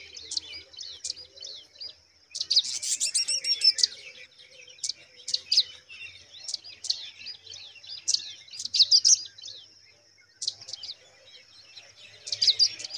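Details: Baby pipits in their nest deliver sharp, very high chirping bursts. A dense, frantic cluster comes early, followed by irregular single and doubled squeaks. A constant thin high hum continues behind them throughout.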